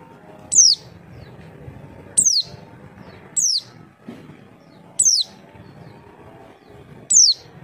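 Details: Lure call of a Javan white-eye, meant to make other birds respond: five sharp, high, downward-sweeping whistled notes, each brief, spaced irregularly over several seconds with faint background hum.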